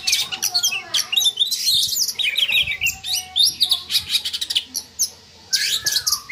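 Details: Captive Oriental magpie-robin song used to stir breeding drive: rapid, jumbled mix of harsh rasps, clicks and high chirps with short rising whistles, pausing briefly before a final burst of scratchy notes.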